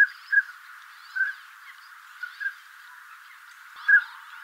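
Northern Pintail giving short, soft fluty whistles, five or six spaced unevenly about a second apart, over a steady hiss.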